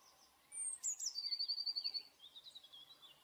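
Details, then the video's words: Eurasian blue tit song and call: two very high, thin notes, then a fast silvery trill that drops into a slightly lower, softer trill, all over faint background hiss. "blue tit / pimpelmees sound"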